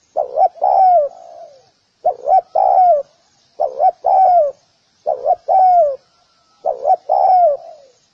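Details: A spotted dove repeats its soft, mellow call: a pair of quick hoots rolling into a longer downward-sliding coo. Five phrases come at steady intervals of about one and a half seconds, clearly recorded for training doves.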